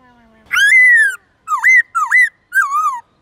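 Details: A white-cheeked laughingthrush sings forest-style songs in the morning: four rich, slurred whistled notes in three seconds, a long falling note then short rising-and-falling phrases, over a faint low hum.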